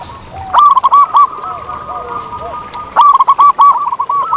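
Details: Wild local zebra dove singing with a big voice: a quick stuttering series of bright coo notes, a pause filled by lower distant cooing from other doves, then another rapid series.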